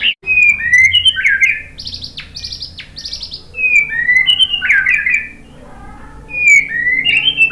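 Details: White-rumped shama song to stir other birds into singing: a lively run of whistles, three repeated high swooping notes, then loud warbled and fluting phrases.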